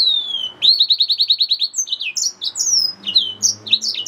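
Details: Yellow-fronted canary mule, a hybrid finch, starts with a long falling whistle, then a fast rattle of about ten identical high chirps, followed by varied twittering phrases. Low humming underneath the later part.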